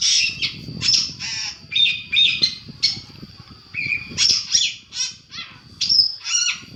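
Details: Long-tailed shrike master recording used to make other birds answer: loud harsh squawks mixed with squeaky whistled and chattering phrases in irregular bursts, with low background hum.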